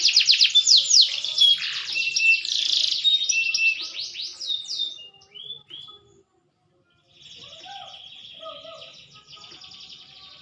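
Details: Green canary, growing more mature, sings a loud busy trill and whistled notes that break off, followed by a pause and quieter distant twittering.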